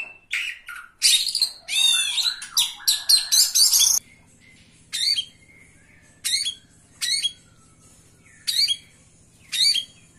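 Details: Oriental magpie-robin at a bird singing contest, recorded on 17 April 2023, placing third; rich burst of loud, varied whistles and harsh squawks for four seconds, then short sharp whistled phrases repeated about once a second, with a low steady hum beneath.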